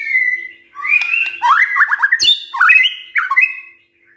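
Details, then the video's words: Shama song for stirring other shamas to sing in the morning: a long level whistle followed by a run of rapid warbled notes, buzzy chatter and bright slurred whistles, ending abruptly; faint hum present. "Pancingan PAGI-PAGI AGAR MURAI GACOR❗ murai diam pasti ikut NYAUT EMOSI❗❗"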